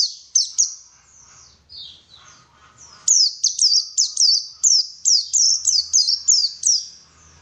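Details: White-eye song used as a lure to prompt other white-eyes to sing: high, thin downslurred notes, a few scattered phrases, then a rapid run of about a dozen sharp, evenly spaced chirps, with faint low background rumble.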